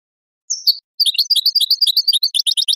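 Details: Goldfinch song from a tape meant to teach chicks and songbirds: a thin high drawn note, then a fast run of bright twittering, tinkling notes that grows louder and quicker toward the end.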